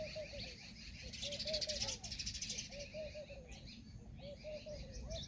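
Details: Indian peafowl peahen giving short, clipped mid-pitched notes in quick uneven runs, each note slightly rising then falling. A burst of high buzzy chatter from other birds comes early, with steady background noise throughout.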